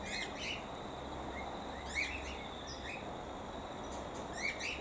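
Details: A wild cockatiel in a dying tree beside an aviary, late afternoon, gives short, bright, rising chirps, a few scattered over several seconds, against a steady outdoor hiss; caged cockatiels had reacted to it.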